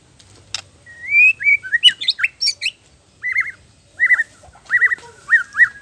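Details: Caged white-rumped shama (murai batu) singing non-stop 'gacor' with 'isian' phrases, used as therapy for young and adult birds to make them sing: a rising whistle and high chips, then a bright trilled phrase repeated about every 0.7 seconds.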